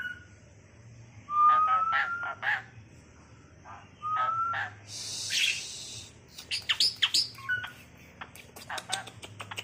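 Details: Tame, talkative captive Asian pied starling (jalak suren), kept as a pet and able to mimic speech: clear rising whistles around two seconds and four seconds, a hissy burst, then rapid squeaky chirps and sharp clicking notes, with a low hum beneath.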